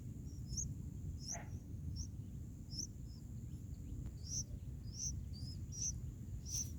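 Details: Bulbul nestlings in the nest on day 4, being fed by a parent, give thin, high squeaky peeps, about one or two a second, over a steady low rumble of background noise.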